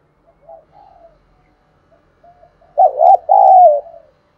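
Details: Spotted dove cooing to lure wild birds in the 'thúc đấu' style: quiet soft coos at first, then one loud phrase of a quavering double note followed by a drawn-out level coo.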